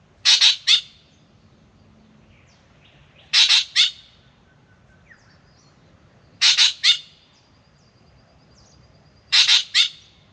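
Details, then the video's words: Spangled drongo in the morning at an Australian backyard birdbath, coming for a drink. Harsh, rasping triple bursts, loud and close, repeat about every three seconds against a quiet background. "Beautiful Spangled Drongo sings and comes for a drink"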